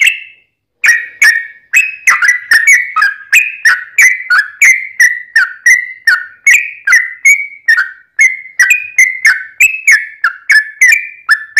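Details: Yellow-vented bulbul giving a long, rapid fighting song meant to provoke other bulbuls into answering; bubbly whistled notes, each dipping or sliding, repeated almost three times a second in an unbroken run after a short opening pause.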